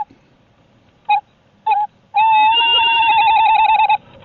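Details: Tawny owls during brooding, when the female sits on eggs in below-freezing weather and needs the male to bring food: two short, clipped notes, then a drawn-out, tremulous, mid-pitched wail of about two seconds, in a quiet background.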